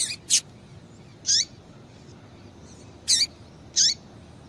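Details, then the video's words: Female Double-collared Seedeater calling to stimulate a male: sharp high notes with downward-sliding tails, singly and paired, spaced about a second or more apart. "Piado de Fêmea de Coleiro Para Esquentar Coleiro"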